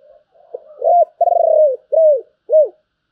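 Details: A spotted dove sings in the 'giọng thổ' manner with a 'bầu' voice: soft lead-in notes building to a strong coo, a long vibrating trill, then two separate arched coos spaced about half a second apart.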